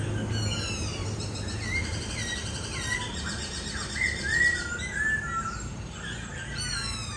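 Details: Captive laughingthrush kept as a cage bird, singing in a series of slurred whistled notes with high, thin overtones over steady low rumbling background noise.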